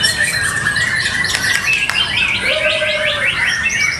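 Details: White-rumped shama (murai batu) singing at a routine practice singing contest: a varied run of rapid chattering and whistled phrases around mid-high pitch, with a smooth lower whistled note and a rising series of sharp trills near the end.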